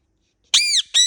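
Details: Pet Indian ringneck parakeet during molting utters two loud, strident screeches in quick succession, the first arched and drawn out, the second cut short.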